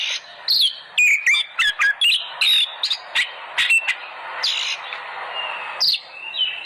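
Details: Oriental magpie-robin lure song, played to stimulate pet birds to sing hard: a rapid burst of harsh squawky notes mixed with whistles, then a longer smoother whistled phrase and a final sharp note over constant hiss.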